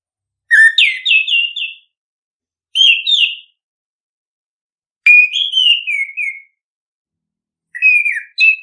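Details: Orange-headed thrush song used to stimulate other birds to sing: clear whistled phrases in 1.5 s bursts separated by pauses, each opening with a rising slur and then dropping through several warbled notes, background silent.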